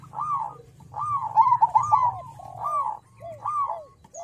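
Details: Crossbred zebra dove (perkutut crossing) song used as a lure to get other doves singing: arched, bubbling cooing notes around the same pitch, several rolled phrases with brief pauses between them, a low hum underneath.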